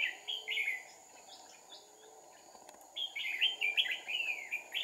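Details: Decoy red-whiskered bulbul singing aggressively at a trapping site, two decoys set, 2/4/2019: a short burst of chattering whistles opens, a quiet gap follows, then a dense run of rapid bubbly notes fills the last two seconds.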